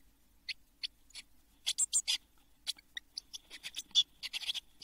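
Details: Eurasian blue tit chicks in a nest box, seven young about to fledge in June 2022; a few isolated thin high notes at first, then a thickening cluster of harsh buzzy calls.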